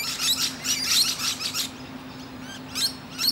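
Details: Perched musk lorikeet chatting to other birds, opening with a rapid string of grating high screeches, then quieter, sparser squeaks toward the end.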